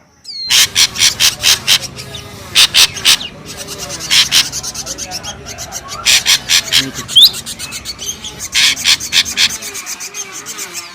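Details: Ashy drongo lure sound, noisy: loud, harsh, rasping bursts in quick repeated series, broken by short pauses and a few thin upward whistles.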